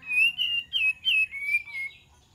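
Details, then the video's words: Bright, rapid whistled phrase from an olive-winged bulbul, intended as a lure: four or five quick liquid notes rolling up and down, ending in a lower trailing whistle. "PANCINGAN KAPAS TEMBAK DIJAMIN NYAUT"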